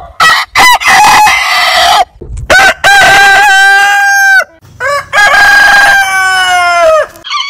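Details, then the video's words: Roosters crowing in turn: rich, harsh, multi-note crows. Each ends in a long sustained note that drops at the finish, with brief gaps of quiet between them. "Biggest Rooster Sound Alarm - Long Roosters Crowning Suara Ayam Berkokok Panjang"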